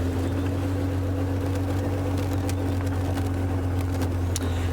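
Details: A loud, steady engine drone with a humming tone throughout and scattered faint clicks above it.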